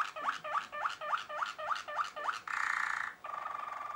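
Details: Malinois Waterslager canary singing a series of bubbling, water-like notes repeated roughly three times per second, then a dense rolling trill and a steady held rolling tone.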